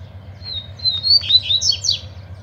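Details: Caged double-collared seedeaters singing at night in competition with a loose male: a clear whistled phrase starting with steady high notes, then quick falling and rising slurred notes ending in sharp downslurred chips, over a low steady hum.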